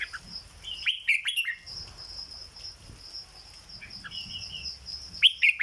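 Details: Caged red-whiskered bulbul giving 'dok' song: a bright burst of quick whistled notes near one second and another at the very end, softer chirps between, and a steady shrill background hum throughout.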